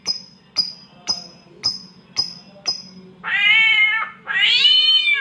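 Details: Imitation of a mating cat by a samyong: six short, high whistled chips evenly spaced about half a second apart, followed by two loud, drawn-out, caterwauling meows.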